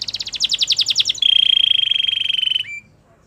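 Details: Singing Belgian canary, for training canaries: a rapid rattling roll of high notes, then a long smooth even trill that ends with a brief lower note and silence.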